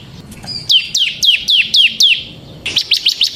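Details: Bar-winged prinia, semi-gacor type, singing as a lure for training other prinias: a run of six high, sharply down-slurred notes, then a faster burst of four rising chips at the end.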